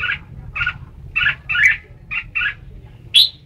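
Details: Red-whiskered bulbul repeating husky chirped notes about twice a second, closing with a sharp bright rising note; low hum behind.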